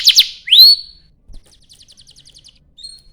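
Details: Canary singing as a lure to get other canaries to sing: two loud chirps, a bright rising whistle, then a faint, fast, even trill and a short high note near the end.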